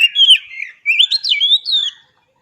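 An Oriental magpie-robin sings a rich, varied run of clear whistled notes, sliding up and down in quick phrases over about two seconds; nothing else intrudes.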